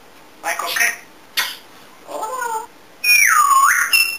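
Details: Talkative pet African grey parrot in a small room utters a few speech-like syllables, then ends with a loud, sustained whistle that dips and climbs again.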